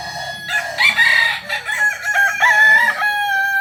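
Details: Kokok Balenggek cock from Solok, West Sumatra, a breed known for multi-level crowing; one crow breaks into several stepped sections with short gaps, strong and harsh, ending on a held note.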